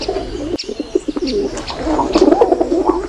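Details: Several pigeons give soft, throaty coos that run into one another in a dense murmur, with scattered higher chirps and a brief break near the start.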